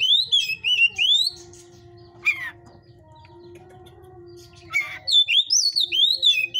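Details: Caged white-rumped shama of the fiery type, recorded in a breeder's cage: loud whistled phrases sweeping between high and mid pitch, sung in bursts separated by a quiet gap, with a steady low hum beneath.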